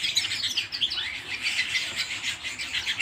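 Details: Short passage of home canary song, sweet rising whistles mixed with rapid bright trills.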